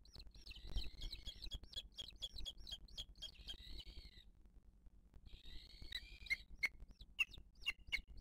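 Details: Booted eagle at its nest in 2023 while the mother feeds the chick: clipped high notes mixed with long, wavering, buzzy wheezes, a pause, then more wheezes and sharp repeated notes, with faint low background noise.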